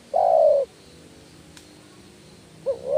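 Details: Spotted dove lure call: a long, steady, slightly falling coo, then a faint click, then about two seconds of quiet before the short rising opening coo of the next phrase.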